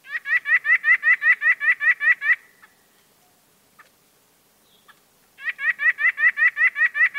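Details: White-breasted nuthatch calling in two bursts of rapid, nasal, even notes, about five per second, with a quiet pause of roughly three seconds between the runs.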